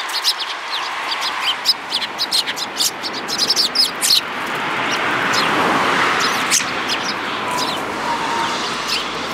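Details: Spirited sparrows recorded in March 2018 give quick, sharp, repeated chirps for about four seconds, then a steady broad rushing noise takes over with only a few scattered chirps.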